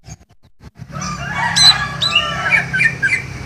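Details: A greater green leafbird pours out a varied run of clear, sliding whistles and chirps after a few soft clicks, with a low steady hum underneath.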